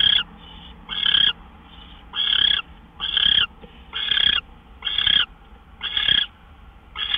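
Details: Owls at a nest shortly after midnight, March 26, 2013, as gophers are delivered. Rasping hissed screeches of about half a second repeat roughly once a second, with a faint tonal hum beneath.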